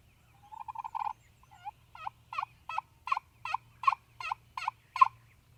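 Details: Wild Turkey in Mississippi on a spring hunting morning, when gobblers sounded off on the roost and then on the ground: a quick rattling burst, then a steady series of about a dozen harsh, descending yelps roughly every third of a second.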